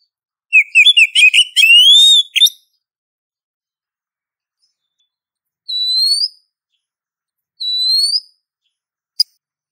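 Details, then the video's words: Female Oriental magpie-robin calling a male: a rapid burst of varied chirps and rising whistles, then two separate upslurred whistles a few seconds apart and a final sharp click. "Kacer Betina Memanggil Jantan"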